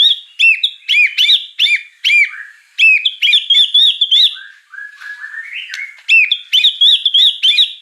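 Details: Full fill-in song of a white-rumped shama, loud looping whistled phrases repeated in quick succession, a brief lower warbled passage, then the bright looping phrases return.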